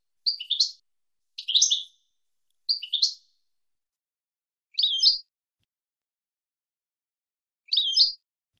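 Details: Teaching recording for young goldfinches, 2022 season: European goldfinch gives three quick twittered double notes close together, then two more isolated, curling chirps after longer pauses.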